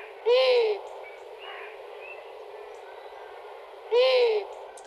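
Long-eared Owl giving low, breathy hoots, each about half a second, repeated roughly every three and a half seconds over a steady background hiss.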